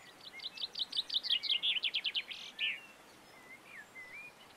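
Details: Common chaffinch singing in the Montes de León, Spain, in March 2022: a quick run of bright notes that descends in pitch and ends in a short flourish. Soft whistles of other birds follow.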